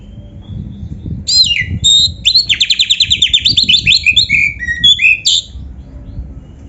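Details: Oriental magpie-robin pouring out gacor full isian song: a fast, even rattle of repeated high notes lasting nearly two seconds, framed by sweet whistles and falling slurs.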